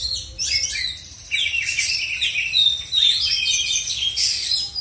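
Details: Oriental magpie-robin in South Aceh, Indonesia, pours out a fast, varied song of high whistles, trills and scratchy notes, almost unbroken, with light background noise.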